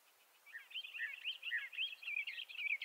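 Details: After a brief quiet start, Bendire's thrasher breaks into soft then louder warbled phrases, twisting whistles strung closely together.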